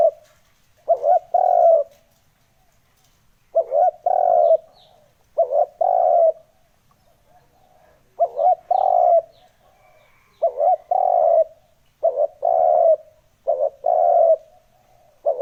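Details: Spotted dove lure sound for stirring decoy birds: a long series of paired coos, a short warbled note leading into a fuller held coo, repeated about every one and a half to two seconds.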